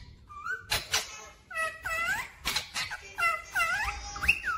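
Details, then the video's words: Pet parrot talking clearly, saying 'mummy papa': a steady stream of swooping, harmonic, voice-like notes, some rising sharply at the end, with sharp clicks between them. "mummy Papa Bolne Wala Tota Mithu 😘😍🥰❤️ clear voice talking parrot"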